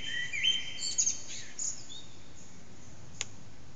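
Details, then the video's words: Eurasian blackbird heard around 4:30am in an echoing backyard, phone recording with the bird out of view: one brief warbled phrase with high squeaky notes, then hiss and a single sharp click. "Blackbird's morning song"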